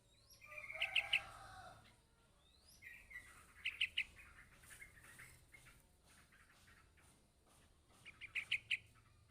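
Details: Yellow-vented bulbul chick calling for its parent: clusters of high chirps spaced several seconds apart, among softer rustling and lower murmuring sounds.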